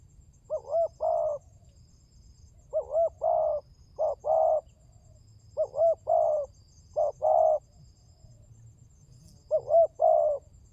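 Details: Spotted dove calls used as a lure, called pancingan tekukur, to prompt birds into calling: phrases of two quick rising coos and a long, level, throaty croon, repeated about five times, with steady low rumble behind.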